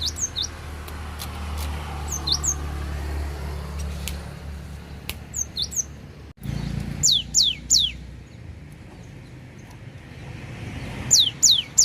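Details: Gelatik batu, the cinereous tit, recorded at Takengon in Aceh Tengah showing off its filler repertoire: scattered sharp high whistled notes, a cluster of four descending slurs mid-way, and another quick group at the end, with clicks and low hum.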